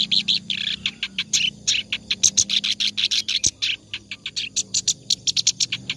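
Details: Clamorous reed warbler singing continuously, offered as tutor song for other birds: dense, scratchy chatter of short notes repeated quickly, some higher squeaky accents, faint low hum underneath.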